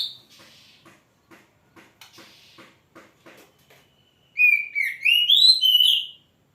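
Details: Oriental magpie-robin, kacer, heard first as faint ticking and soft clicks, then a loud rich run of slurred, rising whistles lasting about two seconds.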